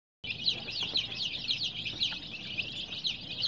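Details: Baby chicks, dyed in colours and kept warm under care, chirping as a group: a dense stream of high, sharp peeps, several a second, overlapping steadily with a faint low hum underneath.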